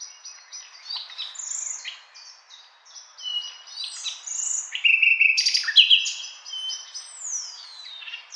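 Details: Nightingale singing a varied run of phrases: clear whistles, upward and downward sweeps, and short buzzy bursts, rising to a louder stretch of rapid notes near the end, with no other sounds.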